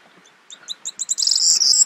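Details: Corn bunting of subspecies calandra in the Crau, France, in May: high ticking notes that speed up and run into a dense jangling, glassy trill.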